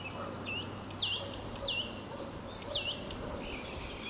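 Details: A song thrush sings in spring, perched high in an ash at the edge of an old oak forest near Sudak, Crimea, marking territory. It gives three short, clear whistled phrases about a second apart, with fainter chirps and low hum.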